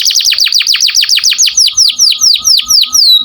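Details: Canary singing a master song meant to tutor other songbirds: a rapid series of high downslurred whistles, about seven per second, slowing and dropping lower toward the end.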